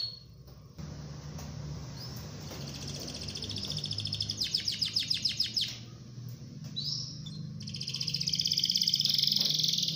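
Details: Canary delivering a rolling song for training other canaries. High tones build into a fast rattling trill, pause, then return as a sustained high rolling note. A steady low hum and background noise run throughout.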